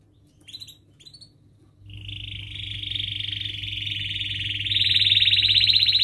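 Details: Canary rolling song, ngerol style, used to coach young canaries: two short high chirps, then a long continuous rattling trill that grows louder and rises slightly toward the end, over a low background hum.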